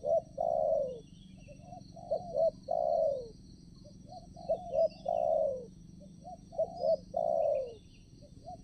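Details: Decoy spotted dove calling at a trapping site to attract wild doves: a low, mellow phrase of two or three short hoots, then a long, drawn-out, descending coo, repeated about every two seconds, with a constant high insect drone behind.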